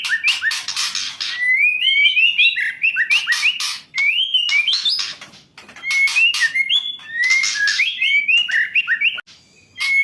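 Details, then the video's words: Female white-rumped shama, used to stimulate lazy males into singing: rapid run of bright whistled and chattering notes, rising slurs and sharp buzzy bursts in dense phrases with brief pauses, clean recording without background noise. "Pancingan kicau burung murai batu betina untuk pejantan murai yang malas bunyi"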